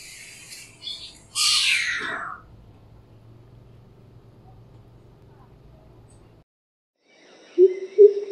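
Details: Greater coucal in Pune on a morning when about six coucals fought over higher rocks to call from: a loud, breathy, downward-sweeping hiss call of under a second, then, after a quiet spell with a low hum, a few deep normal hooting notes.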